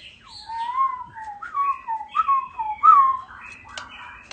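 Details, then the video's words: A head-shaking bird sings a greeting: a run of wavering whistled notes, each swooping up and then sliding down, with several rising in pitch toward the end, followed by softer thin chirps. "Chim lắc đầu hót chào"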